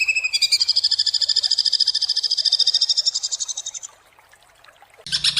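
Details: Greater green leafbird with harsh, tightly spaced 'tembakan' notes: a few sharp opening notes, then a long, steady, rapid high trill lasting over three seconds, a quiet gap, and a final loud burst.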